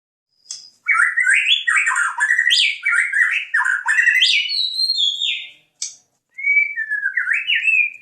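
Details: White-rumped shama from Jambi singing a rich, fast varied song of whistled and slurred phrases jumping between pitches, nearly continuous, ending after a short pause with a rising-falling whistled phrase.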